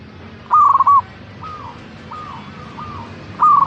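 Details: Local zebra dove (perkutut) in full song: a rapid burst of soft rolling coos ending in a longer note. Fainter echoing coo phrases follow, then a second loud phrase starts at the end.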